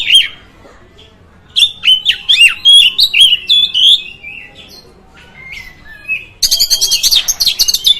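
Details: Oriental magpie-robin song played to provoke other magpie-robins: loud clear whistled notes and sweeping slurs, quick varied phrases, a pause, then a dense burst of sharp high repeated chips.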